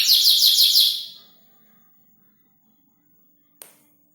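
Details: Caged canary singing a fast, buzzy trill of rapid repeated high notes for about a second, then falling silent before a single sharp click.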